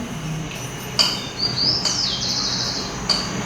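A Rufous-collared Sparrow's song: thin, high whistled notes, then a long slurred whistle falling in pitch and a short high note, over a low room hum.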